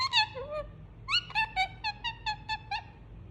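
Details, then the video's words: Pet Indian ringneck parakeet making a soothing sound while being cuddled: a few drawn-out, slurred notes, then a run of seven short, evenly spaced chirps, roughly one every quarter second, over a quiet indoor background. "Cute Pet Parrot Enjoying Cuddle And Making Soothing Sound"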